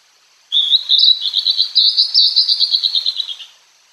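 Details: Hodgson's hawk-cuckoo, wild, at Tokyo Citizens' Forest: one long, high, excited series of shrill notes that starts as a whistle and breaks into rapid pulsing repeats, speeding up before fading out after about three seconds.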